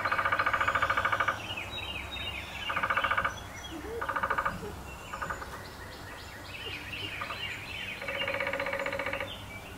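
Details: Male downy woodpecker drumming on a 150-year-old black walnut in Appalachia, on terraced farmland: several rapid rattling rolls of about a second each, separated by short pauses, with faint bird chirps and steady low background rumble.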